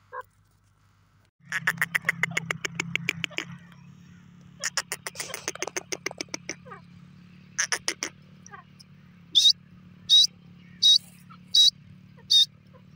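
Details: A francolin calls in front of another francolin. Bursts of rapid rattling notes come in several series, then sharp, high single notes about once a second, over a steady low electrical hum.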